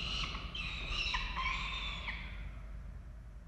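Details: Peregrine falcons at a nest box in Orange, Australia, on 11 November 2023, during a pigeon delivery: a run of loud, rasping, harmonic squawks with down-slurred endings over about two seconds, then fading to low background hum.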